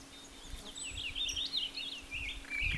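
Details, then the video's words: A Rose-breasted Grosbeak sings a sweet, rolling warble of quick rising and falling phrases, over a low steady hum and faint background rumble. "rose breasted grosbeak song"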